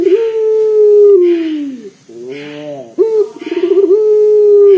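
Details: Local turtle dove with a big, bass-heavy voice, used as a lure for other birds: a long steady low coo falling away at the end, a softer rising note, then a quick rolling trill into another sustained coo.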